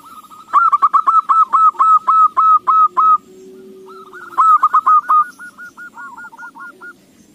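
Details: Zebra dove song used as a lure to set other doves singing: a long, fast series of loud, clipped cooing notes, a pause, then a second burst that trails off into softer notes. A low, level tone sounds between the bursts.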